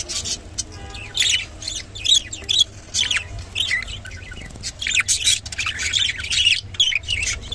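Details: Rainbow budgerigar chirping in short scratchy bursts, quieter at first, then denser warbling toward the end, over a soft low hum.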